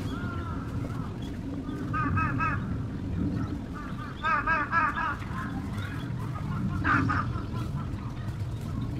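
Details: Spot-billed duck at the Kurome River or Sanpoji Pond, July to December 2023, giving bursts of rapid, harsh, nasal quacks in short runs, with a steady low rumble of background noise.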